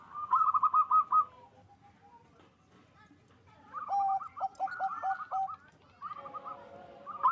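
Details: Local zebra dove, strong-voiced singer, to raise mating drive; a short burst of rapid coos, a quiet pause, then a phrase of higher and lower clipped notes and a softer closing series.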